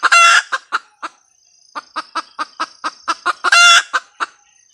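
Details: Cackling red junglefowl hen: a loud harsh squawk, a few clucks, a short pause, then a fast cluck series leading into a second loud squawk and trailing clucks.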